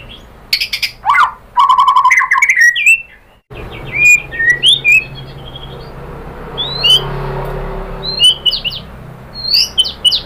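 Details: Lure song of a white-rumped shama, meant to stir a bird into singing: rapid scratchy rattles and a warbled trill, then scattered high, sharp whistled notes over faint hiss.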